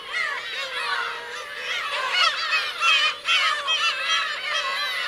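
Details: Mewing, downward-curving cries from many black-tailed gulls, parents and young, at Kurosaki coast, Teuri Island, Hokkaido, Japan, on 17 June 2021. Several louder calls stand out over the ongoing chorus, with short gaps between bursts.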